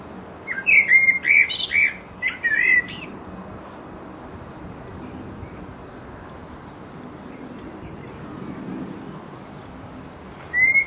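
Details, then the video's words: Singing resident blackbird, mating song: two short bursts of fluting notes with high scratchy twitters in the first three seconds, then quiet, with another phrase starting at the very end. "The mating song of a Black bird"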